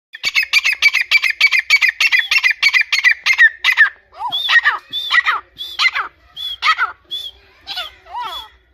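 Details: Grey francolin calling angrily in a forest: a rapid run of harsh, grating notes about three per second, then looser squeaky rising notes with scattered chirps.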